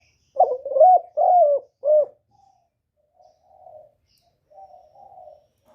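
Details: Spotted dove used as a lure bird for trapping, calling to draw wild doves in. It gives one low, four-note cooing phrase: a short stuttering coo, two longer rising-then-falling coos, and a clipped final note. Faint, softer cooing follows.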